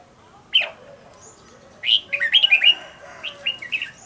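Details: Captive red-whiskered bulbul trained as a decoy singer: one sharp note, then after a pause a quick run of four or five slurred whistles, followed by softer trailing notes.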